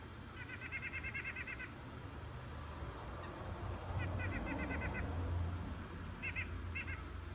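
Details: Rapid series of nasal, harmonic notes from a white-breasted nuthatch, one long run, then a shorter run after a gap, then two brief paired notes near the end. Low rumbling background noise throughout.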